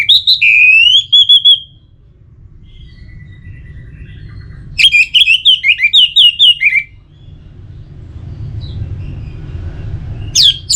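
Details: Orange-headed thrush singing, played to encourage singing: a long whistled slurred note opens, then after a pause a fast sequence of about ten varied warbled whistles, then quiet and a final sharp note, over low rumble.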